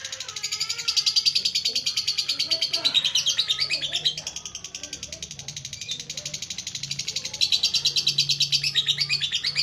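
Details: Rapid buzzy pulsed chatter from a lovebird, played to get a lazy bird singing, in two loud stretches separated by mixed squeaks and chirps, over a steady low hum.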